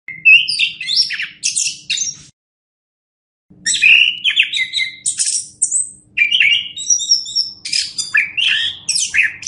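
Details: Orange-headed thrush song used as a master recording for training other birds: rich, varied phrases of whistles, buzzy chatter and high thin notes mixed with mimicked snippets, broken by a short pause, with a faint low hum underneath.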